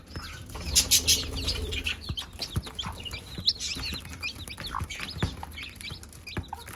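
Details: Mother hen summoning her chicks to feed; loud, crowded high peeps tumble over each other, with a burst of hissy noise early on and sharp pecking clicks.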